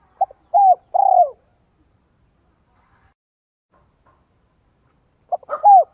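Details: A decoy spotted dove sings in the 'giọng son 1 cốt lỡ' style meant to provoke wild doves. One phrase of a brief note, then two full, falling coos, followed by a long quiet gap before the next phrase begins.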